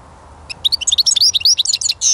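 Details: European goldfinch singing: a fast burst of high, tinkling twitters and slurred whistled notes, about a second and a half of rapid varied phrases above a quiet low background hum.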